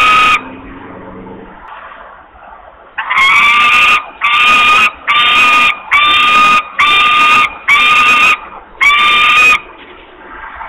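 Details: Osprey begging with long screams for food at Włocławek, Poland, early afternoon of 8 August 2021. After one opening scream and a quieter gap, seven strident, grating screams follow back to back, each close to a second long.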